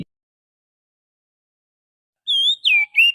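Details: Oriental magpie-robin lure song from the wild forest. After a long quiet stretch come three whistled phrases: a level sustained note, then two notes that dip and slide down.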